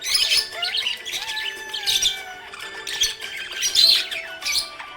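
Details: Happy budgies chirp and warble in rapid high bursts, clustered chatter rising and falling every second or so, with faint sustained tones in the background.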